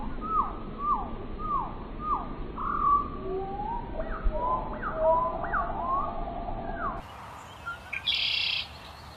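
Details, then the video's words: A bird gives clear whistled notes, each sliding downward, repeated about twice a second, then a run of varied warbled whistles; the sound changes abruptly near the end, with higher chirps and background hiss. "Relaxing With Natural listening to bird sound"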